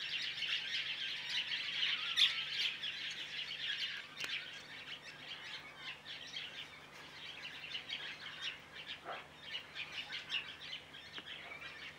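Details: Large mixed flock of woodswallows, mainly white-browed with some masked among them, giving dense overlapping chirps and twittering that stay loudest during the first four seconds, then continue as steady chatter.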